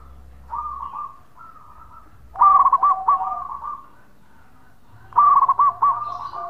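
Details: Zebra dove, a local bird, repeating its bekur call to draw replies from other doves. A quiet purring phrase is followed by two loud bursts of quick stuttered coos about three seconds apart.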